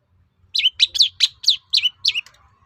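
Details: Lure song of a long-tailed shrike meant to goad other shrikes to answer: a run of seven bright, slurred chirps at an even pace of about four per second, with a faint low rumble underneath.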